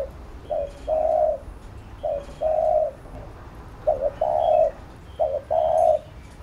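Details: Coaxing calls of a spotted dove used to train a decoy bird: four evenly spaced phrases, a quick note then a long level coo, with faint high chirps in the background.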